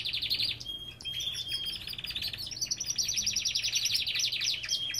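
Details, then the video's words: Belgian canaries in an aviary deliver continuous high, rapid trills and rolls, with a brief pure whistle near the start and dense overlapping chirping throughout. "Lindos cantos de canários!"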